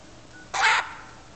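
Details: A single harsh, raspy screech, about a quarter second long, from one of two 2-month-old galahs perched on a railing after eating, over a quiet background.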